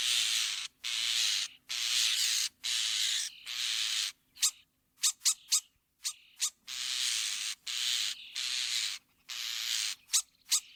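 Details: Sturnus vulgaris, the common starling, delivering rasping, hissy phrases about a second long, broken up by rapid clicks and brief high whistles and repeated roughly once a second.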